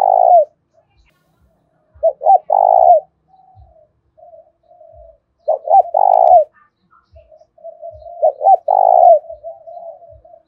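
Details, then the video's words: Spotted dove used as a lure bird, giving a fighting call in the thổ pha voice style: loud cooing phrases of two or three short notes and a long rolling coo, repeated about every three seconds, with soft murmuring between and faint low taps. "Chim cu gáy kích bổi giọng thổ pha/ tiếng thúc đấu vang cả xóm làng"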